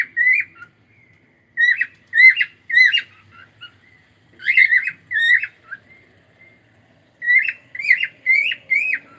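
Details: Singing cockatiel repeating loud whistled, slightly squawky phrases with rising flicks and warbled ends, grouped in bursts of three or four with short pauses between; quiet background.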